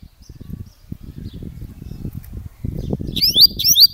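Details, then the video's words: A Coleiro Grego Paulista (Gravata) seedeater gives two bright, high whistled phrases of quick slurred notes near the end, preceded by low thumping and handling noise. "Coleiro Grego Paulista"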